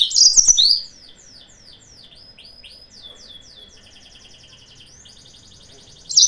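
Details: Yellow-fronted canary singing as a lure to provoke rivals. A loud, sharp burst opens into a long series of quieter repeated downslurred whistles and buzzy trills, with another loud note at the end.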